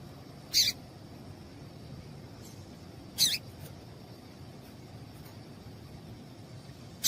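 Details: Female double-collared seedeater giving her call meant to excite a male tournament singer; three short, high chirps spaced roughly three seconds apart, with a soft low rumble and hiss underneath.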